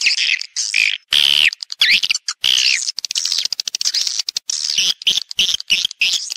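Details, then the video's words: Swiftlet lure sound, played to draw swiftlets into a house to roost and nest: dense high twittering chirps, broken by a clear whistled note that slides downward, with short buzzy bursts between. "ÂM THANH CHIM YẾN"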